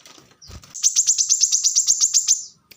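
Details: Rapid trill from a plain-throated sunbird in the tight, rapid-fire korlap style: about thirteen even, high, ringing notes in two seconds, preceded by a soft rustle or wingbeat.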